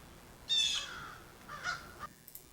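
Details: An American Crow in a backyard gives a location call after moving: two brief, harsh clicking notes about a second apart, the second softer, against a quiet background.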